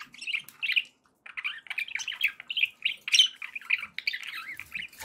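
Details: Pet budgies warble in a steady stream of short, rolling chirps and chattering notes, broken by one brief silence near the start.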